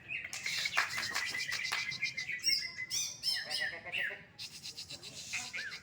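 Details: Greater green leafbird singing in a bird contest it won: bright high whistles and rapid chip series, occasional harsh squawk-like notes, energetic and continuous, crowd noise low.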